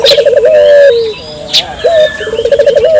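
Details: Vigorous Barbary dove calling, intended to set local doves calling: a rapid rolling coo trill ending in a drawn-out hoot, a pause, then a short rising note and another bubbling trill, with faint small-bird chirps above.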